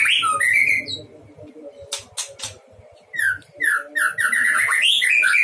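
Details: White-rumped shama in a breeding cage, with warbled whistled phrases at the start, a few sharp clicks in a quieter middle, then a rapid chattering run of mixed notes.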